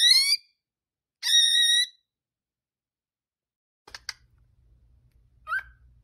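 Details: A cockatiel sounds two bright whistled calls, the first slightly rising and the second flat and held. Faint clicks and a soft low rumble follow in the quiet that comes after.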